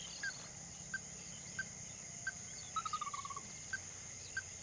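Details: Ruddy-breasted crake giving short, evenly spaced mid-pitched notes about every two-thirds of a second, then a quick run of six or seven notes that steps slightly downward, over a steady high hiss of insects.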